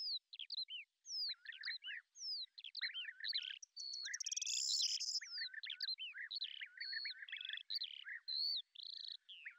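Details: Lesser grey shrike, a beetle-hunting predator recorded in Azerbaijan, pouring out a varied chattering song of whistled upslurs, squeaks and a rattling burst, phrases separated by short gaps.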